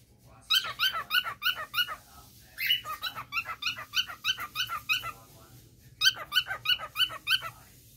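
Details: A one-year-old male pet cockatiel gives rapid runs of clipped, mechanical chirps, about three per second, in three bursts that sound like a printer. The owner does not know how he learnt it.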